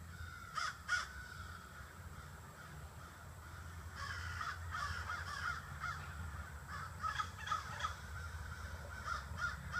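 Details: Scattered caws, some paired, then a long stretch of repeated harsh calls from many crows; roughly 30 to 40 birds gather each evening in trees in front of a house.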